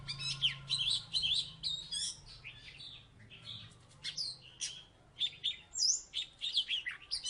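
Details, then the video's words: Oriental magpie-robin from Salatiga, a former third-place contest bird, singing loudly: varied whistled phrases and rapid chattering notes in quick bursts with short pauses, over a low steady hum. "Burung kacer salatiga gacor mantan juara 3"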